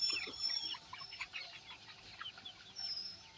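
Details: Flock of laying hens (ayam petelur) making quick, scattered high clucks and short squeaky notes, many birds overlapping in a busy, irregular patter, loudest at the start and again near the end, over steady background hiss.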